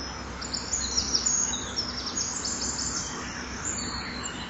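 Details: Common kingfisher at an artificial nesting wall with a camera, 10 September 2011 around 07:07; the bird leaves the wall and later returns with a small feeding fish. High, thin, rasping chirps come in rapid irregular bursts over a steady low hum.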